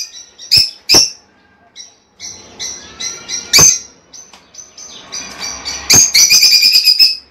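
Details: Lovebird calls meant to stimulate a female to lay eggs. Sharp, high chirps are spaced irregularly over quieter twittering, and the sequence ends in a fast, rattling run of shrill notes.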